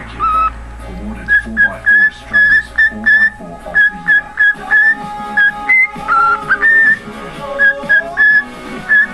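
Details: Jingle Bells whistled by a pet cockatiel, a run of bright, steady notes repeated in quick succession with a few lower and higher steps marking the tune's phrases, soft low murmur beneath.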